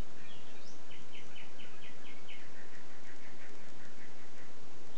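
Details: Mockingbird recorded on 24 May, singing a run of short repeated notes: a few rising phrases, then a steady series of similar chips repeated several times per second, over a constant background hiss.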